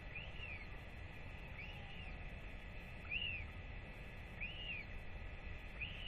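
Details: Royal albatross of the northern species, a chick being fed by both parents after a weight check, 8 October 2024; five rising-and-falling whistled notes about every 1.4 seconds, wind rumbling underneath.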